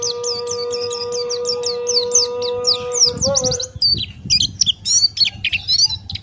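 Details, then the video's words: Buxtoni white-eye, a male singer in 'ngalas' style, used as training material: fast high chirping notes over a steady low hum, followed by jumbled twitters against rumbling background noise. "Masteran Pleci Buxtoni Ngalas Buka Paruh"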